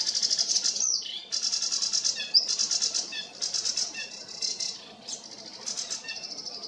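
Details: A nearby sedge warbler in full song among other singing sedge warblers. Harsh, grating phrases are delivered in quick pulsed runs, mixed with brief rising whistles and short sharp notes, and the phrases keep changing throughout.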